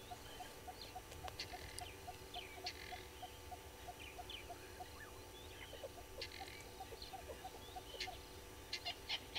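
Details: Wild red-billed hornbills at the Gowrie dam waterhole on Djuma Game Reserve, South Africa, early morning on 15 April 2022. A long run of quick, even clucks repeats several times a second. Sharp chirps from other birds and steady background hum run underneath.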